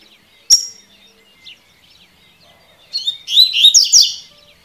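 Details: Double-collared seedeater singing a tui tui style song, used to train birds. After two sharp high chips, a quick burst of warbled, buzzy high notes arrives near the end, with faint twittering birds behind.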